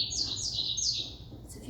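American Goldfinch giving three quick, sweet, high notes that curve and slur downward in a little over a second, with a faint murmur in the background.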